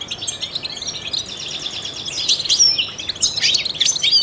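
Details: A trained European goldfinch sings to stimulate other songbirds: soft twittering that grows louder into buzzy trills and bright, tinkling chirps toward the end.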